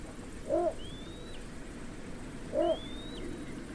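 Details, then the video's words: Two brief, deep barks from a Little bittern two seconds apart, each followed by a faint, long upslurred whistle from a different bird. "try to hear this Little bittern"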